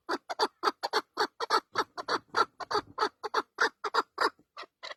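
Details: Partridge giving a rapid run of harsh, broad clucking notes, several per second in uneven pairs and bursts, continuing steadily throughout.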